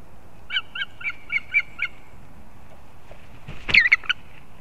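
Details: Osprey chicks competing at their nest in an old leaning pine in Kurzeme, Latvia, dated 11-9-24: a run of six short, clipped whistled notes evenly spaced, a pause, then a louder burst of four or five sharper calls.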